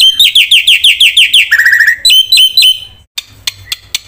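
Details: Short black-winged myna song burst used for training birds: about a dozen quick down-slurred whistles, a lower buzzy trill, then faint sharp clicks.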